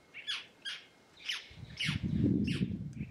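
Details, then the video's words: Scarlet-throated tanager from the Caatinga, known locally as Maria Preta, singing: a string of harsh, buzzy notes that sweep downward, about four in three seconds, over a low rumbling background noise. "Tiê Caburé Cantando"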